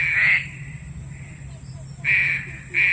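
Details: Green pigeon call played as a trapping lure: three loud flat nasal notes separated by quieter sustained tone, with a constant high whine and low droning hum underneath.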